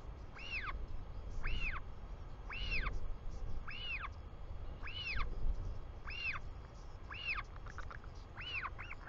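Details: Royal albatross chick calling as its father returns to the nest in New Zealand, 4:06 pm on 24 July 2020; clear rising-falling whistled peeps about every second and a quarter, with a brief stutter of notes near the end, under low wind noise.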